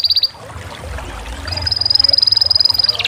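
A canary sings a brief burst of quick high notes, then a long, even, rapid trill of high pulses, ending on a couple of slightly lower notes.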